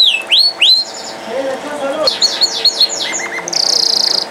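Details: Canary singing in a short burst: high descending whistled sweeps, a low warble, then a quick series of chips and a dense buzzy trill at the end, with a faint steady hum underneath.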